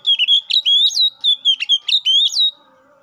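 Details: Oriental magpie-robin giving a continuous 'gacor ngeplong' phrase that calls a rival, used to spur other magpie-robins to sing: about ten clear whistled notes, several rising steeply, ending abruptly after two and a half seconds.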